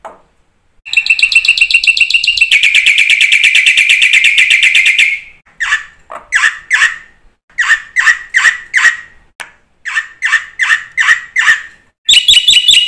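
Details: Black-winged myna in energetic song, used to encourage silent birds to start singing: a long harsh, buzzing trill, then a series of separate slurred, squeaky whistles about twice a second, closing with a loud chattering burst.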